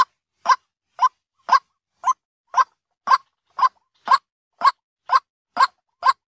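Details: Daytime lure call of a white-breasted waterhen: a monotonous run of brief, mid-pitched kook notes spaced about half a second apart, steady and unvarying, with nothing else audible.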